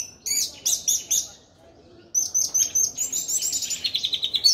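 An Orange-headed Thrush sings a rich, varied string of sweet whistles and fast trilled notes in quick bursts, after a brief pause.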